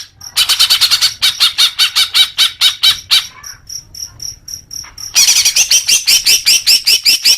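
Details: Song of a greater green leafbird for prompting caged birds to sing: long runs of fast harsh repeated notes, separated by a string of soft high ticks, ending in rapid chattering with upward-flicked notes.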